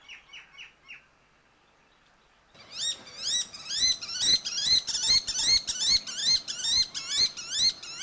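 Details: Shikra (Accipiter badius) in India giving four short, sharp notes, a pause, then a rapid, shrill run of upslurred, harsh notes, about two each second.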